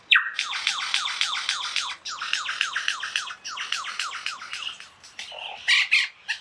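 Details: Near Mount Sugarloaf, a Superb Lyrebird pours out loud, rapid down-slurred notes, three or four a second, in bright ringing bursts, mixing its own mating call with mimicry of a whipbird, a chainsaw and a kookaburra.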